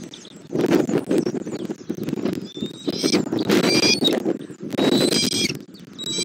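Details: Bald eagle at a Southwest Florida nest, 20 January 2024, the father delivering a fish and eating it; two short bursts of high, stacked piping notes separated by heavy rustling and wind noise.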